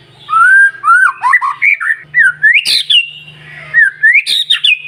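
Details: Morning lure song from a white-rumped shama for setting other birds singing: a steady run of rising and falling whistled slurs with two sharp, high-pitched harsh accents.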